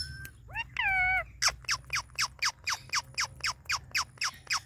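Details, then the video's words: Indian ringneck parrot kept as a pet, being touched by its owner, gives a couple of drawn-out harmonic notes, then a steady train of short, sharp downward-slurred chirps, roughly four a second. "Touching My Super Cute Talking Ringneck Parrot | Natural Parrot Sounds"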